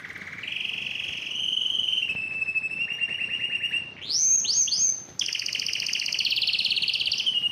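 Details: Yellow canary in full song: steady whistled tones shifting between pitches, a pulsing rolling trill, swooping high slurred notes, then a loud, dense buzzy trill.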